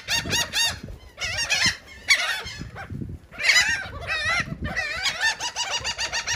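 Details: Gulls feeding on cake at Atlantic City, New Jersey, utter clusters of harsh, bent, quavering calls in four or five bursts, with short pauses and soft knocking sounds between.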